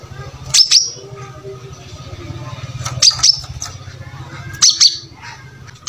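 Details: Brown-throated sunbird in full song, recorded as a model for training other birds; clusters of two or three very high, sharp chips repeat every couple of seconds over a steady low hum.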